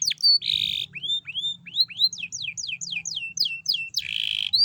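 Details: Canary song played as a lure to get other canaries singing: varied phrases with buzzy bursts, a series of about a dozen bright upswept whistles at a steady pace, and another harsh buzzy note near the end.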